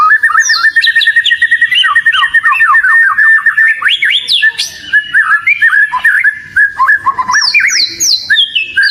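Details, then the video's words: Oriental magpie-robin delivering a lure song: rapid chattering notes and sweet whistled phrases, a flurry of short falling notes in the middle, ending with high, descending whistled notes repeated three times. "ISIAN PANCINGAN BURUNg KACER//🐦KACER GACORR"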